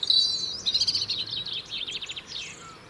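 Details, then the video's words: A European robin in the UK sings to maintain its winter territory, opening with a thin high whistle, then a fast run of sharp, stuttering trilled notes that fade toward the end. "Beautiful song of Robins"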